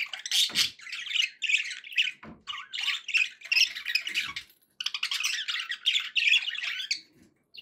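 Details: Pet budgies calling happily, bright squawky chatter and warbled phrases in repeated bursts with short pauses, heard in a small room.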